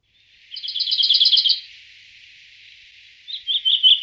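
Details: Common chaffinch (Fringilla coelebs), a migratory, synanthropic species, sings a bright, rapid run of about a dozen high repeated notes. After a short pause, a brisk ringing flourish closes the phrase.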